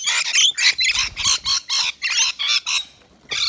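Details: Rainbow lorikeets, native to Australia, calling at a balcony nectar feeder; evenly spaced harsh squawks about every quarter second, eight or nine in a row, a short pause, then one more screech.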